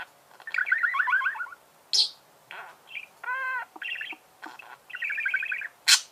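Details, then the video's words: Budgerigars chattering, with rapid warbled runs, sharp clicks and a nasal harmonic-rich squawk among creaky, scratchy notes. "пение волнистых попугаев,скрип"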